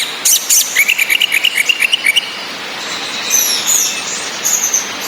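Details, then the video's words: Orange-headed thrush, female whistles and male song over rain, used to rouse breeding drive: a quick run of about a dozen even chirping notes, then softer high whistled phrases, constant rain hiss. "ANIS MERAH BETINA NGECIS‼️ COCOK UNTUK NAIKAN BIRAHI BURUNG YANG MENTOK DI NGRIWIK SAJA"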